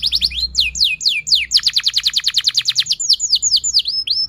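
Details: Long canary song used as a singing prompt for young birds: a few spaced high downslurs, then a quick burst of about twenty rapid rolled notes, ending in slower swooping whistles.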